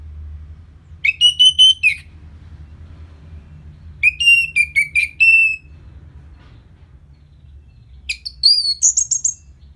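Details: Orange-headed thrush song used to stir another bird into aggression after moulting: three clear whistled phrases of rapid, slightly warbling notes, the first two lower, the last rising higher, separated by gaps of about two seconds, over a faint low hum.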